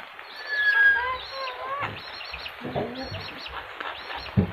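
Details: Yellow-crested cockatoo speaking: a long flat whistled tone followed by wavering, speech-like harmonic phrases, with low thumps and a sharp knock at the close.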